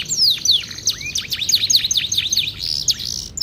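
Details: Canary in full song, kept as a hobby bird, described as gacor with a lively, rich cengkok style: rapid sweeping whistled notes falling and rising, dense varied phrases high-pitched throughout with little background noise.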